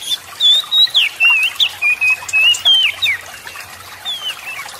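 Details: Energetic Oriental magpie-robin song meant to spur lazy birds of its kind to sing; a rapid run of clear whistled notes, some swooping, some flat, about three per second, over a faint steady hum.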